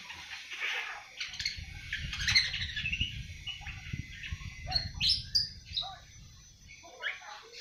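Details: Seven-month-old awar-awar giving an early, soft twittering song of scattered chirps and short squeaks over a steady low rustling background.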